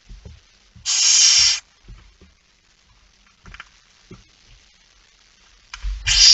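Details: At 23:55 on 17 September 2019, a male barn owl arrives carrying a mouse: one long, harsh hissing screech, then quiet with scattered faint taps before another screech begins at the end.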